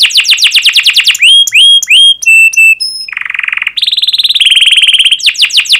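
A canary sings in fast tours: quick falling chirps about ten per second, pure whistled notes, a buzzy low rattle, then a higher trill and more rapid chirps.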